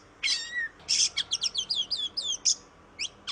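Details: Oriental magpie-robin song meant to coax quiet birds into singing: a long falling whistle, then a rapid series of short slurred chirps and harsh buzzy bursts, ending with two sharp notes.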